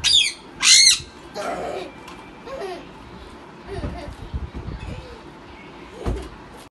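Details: Parrots fighting: two loud, harsh, high squawk bursts open the recording, followed by quieter scuffling, faint squawks and background voices.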